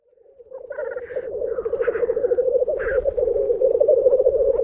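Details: Three of twenty black grouse at a lek at World's End, Minera, North Wales, most vocal around 5 am while still dark: a continuous, dove-like bubbling that swells steadily louder, broken by several brief, harsher hissing bursts.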